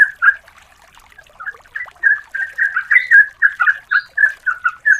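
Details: Female yellow-vented bulbul calling the male, used as a lure. A short note comes first, then a pause, then a building series of quick, bubbly, chattering notes.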